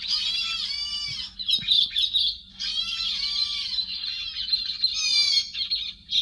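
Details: Edited lure recording of a héc xoan bird with noise removed: loud, hoarse, buzzy squawks in phrases of about one to two seconds, with falling harmonic strokes and brief pauses between them.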